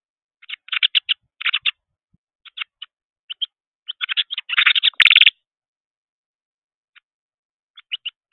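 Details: Excited juvenile Carolina wren flapping at a bird feeder gives loud, raspy chattering notes in quick clusters, building to a dense harsh burst, then a long gap and three more scattered notes.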